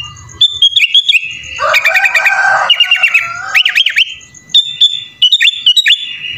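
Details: Sooty-headed bulbul singing persistently, with its song filled with 'isian' phrases. Crisp whistled loops and rapid ticking bursts are broken by a raspy, buzzy stretch, then several sweeping up-and-down whistles and short clicked phrases follow.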